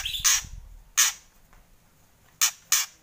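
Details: White-rumped shama kretekan: four harsh, explosive rasping bursts, two spaced early and a close pair near the end, with no whistled notes.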